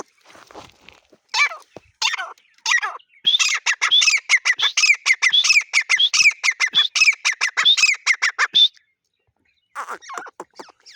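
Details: Grey partridge (teetar) calling: a dense, excited run of squeaky, high notes repeated rapidly for about five seconds, then a short silence and a few more squeaks.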